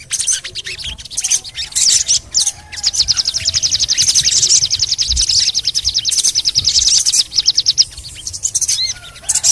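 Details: Sogon (little spiderhunter) delivering a long, rapid, machine-gun-like high trill lasting several seconds, framed by scattered sharp chirps.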